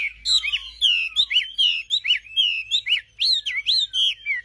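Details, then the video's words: Nightingale singing a continuous run of clear, slurred whistles, each note bending up and down and following closely on the last, loud and unbroken over a quiet background. "Singing nightingale. amazing bird song"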